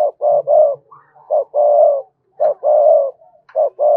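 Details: Spotted dove kept as a lure bird to draw in wild doves, giving loud, low mellow coos in repeated phrases: short notes followed by longer drawn-out coos, recurring about once a second, in a quiet indoor setting.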